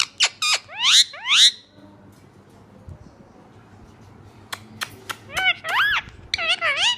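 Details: Pet green ring-neck parrot chattering mian mitho, choori khani in Urdu: quick rising squeaky syllables, a quiet gap, then sharp clicks and a string of warbling, wavering spoken-like notes.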